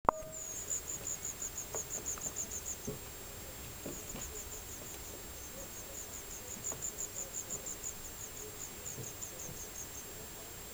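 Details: Wagtail parent feeding fledglings from a fallen nest rebuilt under a country-house roof, mid-July 2009: very high, thin, rapid ticking notes in bursts of one to three seconds, over a steady low hum and scattered clicks.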